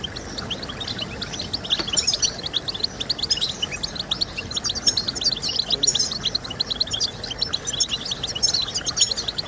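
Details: European goldfinch singing to encourage breeders' birds: a long, dense, twittering warble of rapid high notes that swells and fades slightly, over soft hiss.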